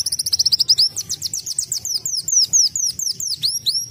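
A sunbird sings a very high, canary-like song: a fast, dry trill, then a run of quick, sweeping slurred notes repeated several times a second.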